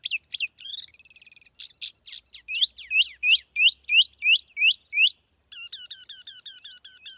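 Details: Laughingthrush lure song, recorded clean without background noise: rapid sharp upslurred whistled notes, then a buzzy trill, then a steady series of loud rising whistles about four per second, ending in quick clipped chirps.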